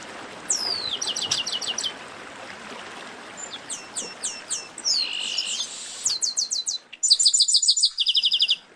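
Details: Chestnut-capped blackbird song: bursts of sharp high notes, some rapidly repeated in even trills, some sliding downward, with short gaps between phrases and a soft background hiss.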